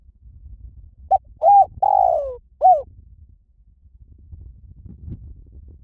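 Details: Spotted dove cooing a single phrase: two short mellow notes, a drawn-out note that slides downward, then one short closing coo. A quiet low background hum follows.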